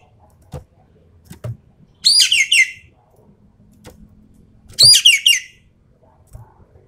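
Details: Javan pied starling singing in the rapid-fire 'full tembakan' style, used to test champion birds' nerve: two harsh, buzzy chattering bursts about three seconds apart, each stacked with quick descending notes, with faint low knocks between.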